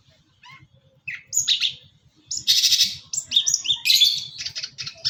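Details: Long-tailed shrike singing vigorously with a song full of fill-in phrases: harsh, buzzy bursts and scratchy chattering notes in irregular spurts, some high and strident, over a steady low pulsing hum.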